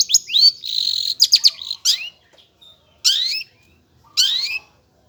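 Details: Long-tailed shrike singing actively: a jumbled burst of harsh, buzzy and whistled notes, then two separate loud rasping phrases that sweep upward, with silence between them.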